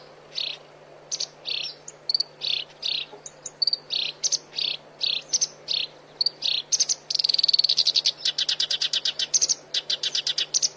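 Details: Black-browed reed warbler song serving as a training model for songbirds: high chattering phrases in quick bursts, ending in a dense rapid buzzing trill and repeated sharp notes.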